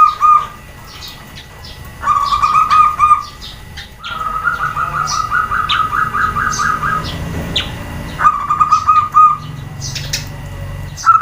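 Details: Female zebra dove (perkutut) calling so that males and other birds answer back: three bursts of low, rapidly pulsed cooing trills of one to three seconds each, among frequent high, sharp chirps from other birds.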